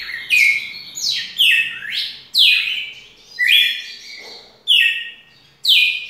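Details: Long song of a red-cowled cardinal: loud swooping whistled phrases, each a steep downslur into a held note, about one a second, over a faint low murmur in the background.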